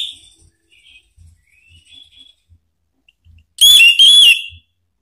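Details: Orange-headed thrush song used as a lure so other Anis Merah answer: faint scattered thin whistles and soft low knocks, then one loud, clear whistled phrase of two slurred notes lasting about a second.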